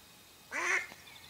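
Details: A decoy mallard hen used in duck hunting gives a single broad, hoarse quack, with a faint thin whistle trailing afterward.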